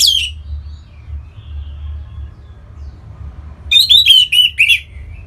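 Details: Orange-headed thrush, a caged songbird from Singaraja in northern Bali, used to encourage other birds to sing; a brief descending note, long near-silent pause with faint warbles, then a rapid cluster of sharp whistled phrases near the end.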